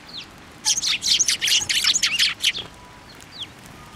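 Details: Sparrows flocking to a plum tree at a Tenmangu shrine on 10 February 2024, producing a two-second burst of fast, crowded chirps, followed by a few faint distant tweets.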